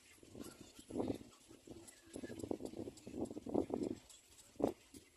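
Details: A Little black cormorant standing and calling gives low, guttural grunts and croaks in irregular bursts, several over a few seconds, over a faint steady background hiss.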